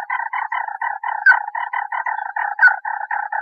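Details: A bird gives a steady run of short, mellow, reedy notes, about four per second, at an even mid pitch, with two brighter chips slipped in; bird.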